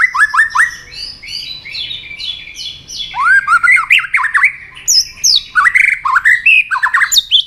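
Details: White-rumped shama in heated fight-song: rapid series of loud upslurred and hooked whistles, some very high, in varied clusters with brief pauses, continuing throughout seven seconds.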